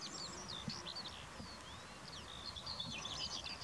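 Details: Corn bunting singing near a seaside breeding site at the Valleberga lookout, 23 June 2020: a jangling cluster of high, rapid notes at the start, scattered thin notes, then another jangling burst, over steady wind-like background noise.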